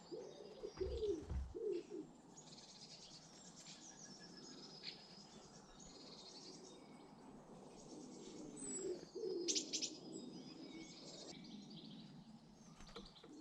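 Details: British garden birds: low, soft cooing phrases open and return near the end, with thin high chirps and brief twitters scattered above over a faint outdoor hush.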